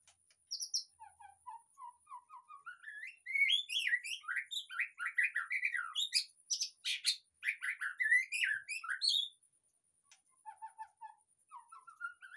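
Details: White-rumped shama singing as a lure for a caged bird in moult: begins with soft rising piped notes, builds into dense, varied whistled phrases with harsh chatter bursts, goes quiet, then resumes low rising piping notes.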